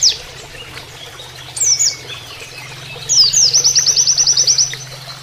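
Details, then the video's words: Oriental white-eye giving a canary-like training song: scattered high chirps and a thin whistle, then a quick twittered lead-in and a fast even trill of sharp high notes lasting over a second, with flowing water murmuring throughout. "MASTERAN PLECI NEMBAK KENARIAN"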